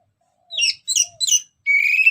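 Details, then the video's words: Orange-headed thrush (anis merah) singing as a lure bird, giving three quick downslurred whistled notes followed by a sustained, slightly wavering high trill. "Kicauan Anis Merah"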